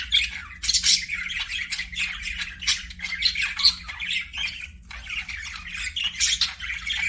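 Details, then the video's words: Aviary parakeets keep up a continuous warbling chatter with sharp high squawks and quick chirps, loud and overlapping throughout, a soft electrical hum beneath. "PARAKEET NOISES"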